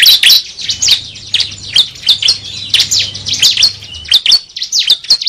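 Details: Cible calls used as a lure for trapping birds: dense strings of bright, high chirps and short whistles in quick succession, with a faint low hum underneath.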